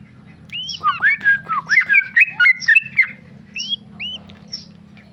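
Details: Tame male Sooty-headed bulbul giving a rapid ropel burst of chattering whistled notes, then a few isolated upward-slurred whistles.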